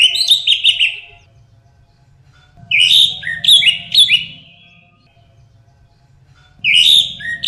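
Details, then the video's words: Orange-headed thrush song for luring birds into singing: three clusters of rich, slurred whistles falling in pitch, with quiet gaps between them and a low steady hum underneath. "Suara burung anis merah untuk memancing agar bersuara ngeplong"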